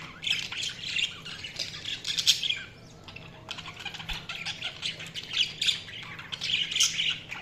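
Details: Several budgerigars chirping together in a dense chatter of squawky, buzzy notes and warbles, rising and falling in bursts with a brief lull midway, over a low steady hum.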